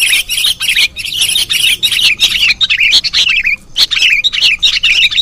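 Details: Sooty-headed bulbul chicks begging, edited into a new combination for use as a trapping lure: dense, harsh chattering notes packed almost without pause, broken by sharp clicky bursts and a brief gap near four seconds.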